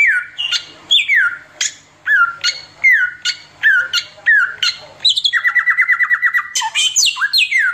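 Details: Oriental magpie-robin in continuous 'tembakan' song, with sharply rising then falling whistles repeated about every 0.6 seconds, then a rapid rattling trill of even notes lasting over a second.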